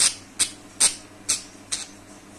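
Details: Budgerigars uttering harsh, high, clipped squawks, five in just over two seconds at roughly even spacing, with a faint hum behind.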